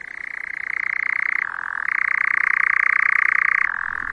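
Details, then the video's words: Forest churring of a European nightjar on a summer night. This insect-eating summer bird arrives in May. An unbroken, buzzy, machine-like trill swells in loudness and switches twice to a slightly lower pitch for a short stretch. "Jaa, on ööhääli ka ja öösoristajat kuulata. Kuulame siis. See on siis suveöö juba."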